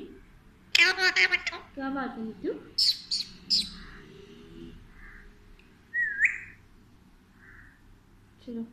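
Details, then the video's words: Pet Alexandrine parakeet talking to a baby in Urdu/Hindi: a burst of harmonic, voice-like syllables, then high sharp chirps and a few soft rising whistles, with a person speaking quietly nearby. "My Smart Alexandrine Parrot Talking To Baby in Urdu/Hindi"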